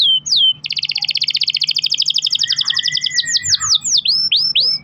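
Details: Canary song meant as a lure for other canaries to sing: a couple of slurred notes, a long rich double-toned rolling trill, then repeated sweeping downslurred notes.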